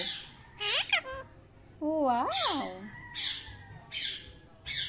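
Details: Pet Indian ringneck parakeet indoors, trained to say thank you: a short mimicked phrase of wavering, rising-falling tones, followed by several raspy squawks, with soft background music.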